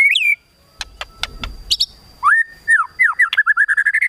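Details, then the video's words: White-rumped shama singing to provoke a rival's emotion: a rich whistled note, some sharp clicks and high chips, then a fast series of slurred downward whistles speeding into a rapid trill near the end. "KRETEKAN TEMBAKAN MURAI BATU MEMANCING EMOSI"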